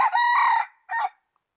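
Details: Rooster crowing, recorded 8 January 2020. A sustained, strongly harmonic crow note fades out and is followed by a short, abrupt final syllable, then quiet.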